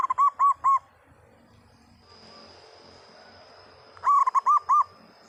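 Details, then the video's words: Local zebra dove, a vigorous, loud singer: two bursts of round, mellow cooing notes, three to five quick arched coos each, separated by a quiet pause, over a steady high electronic whine and faint background rumble. "perkutut lokal gacor suara lantang langsung nyamber"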